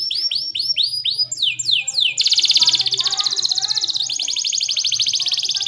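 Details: Canary song used as a master recording to teach young or quiet canaries: a run of repeated high upward-curving whistles, then descending sweeps, then long fast buzzy trills at high pitch.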